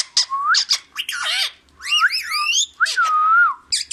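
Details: Green parrot speaking the Urdu phrase "Mian Mithu": a run of loud, squawky, voice-like syllables with sweeping, rising and falling whistled tones, ending on a long, steady whistled note and a final short squawk.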